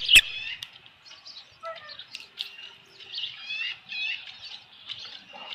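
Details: Ospreys at a nest during a headless-fish delivery, 15 July 2018 at 7:55 PM: soft, high, thin whistles and chirps, rather faint and scattered, with one loud snap at the start.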